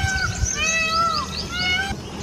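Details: A peacock gives loud, nasal, wailing calls, two drawn-out rising-and-falling cries about a second apart, over a low rumbling background; a leopard is nearby reacting to the call.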